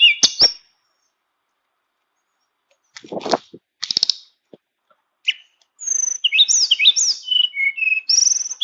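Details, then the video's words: Tame flowerpecker singing a flute-like song full of fill-ins: a few scattered chirps and rustling bursts, then a lively string of high, sliding whistled notes and twitters in the last three seconds. "Burung Tledekan Jinak nyuling full isian"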